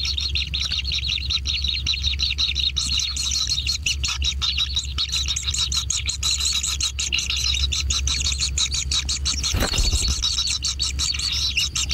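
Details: Wild kingfisher chicks at the nest during feeding, making a sustained, rough, buzzing rasp with fast irregular pulses; a brief rustling thump occurs near the end.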